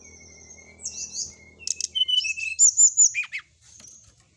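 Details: Brown-chested jungle flycatcher song for training caged birds: long steady high whistles, then a dense burst of warbled, twisting notes and sharp downward slurs. Faint low hum early on.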